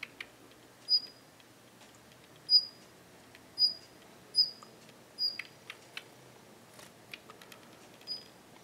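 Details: A Daurian redstart in a Japanese garden, which has grown less wary, gives thin, high whistled 'hit' notes every second or so, mixed with soft clicking tacks, two call types, over a quiet background.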